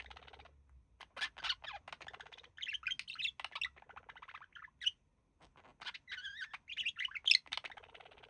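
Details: A relaxing couple of budgerigars, the male mimicking human speech; continuous twittering warble of wavy whistles, squeaks and raspy notes, one sharp loud chirp near the end.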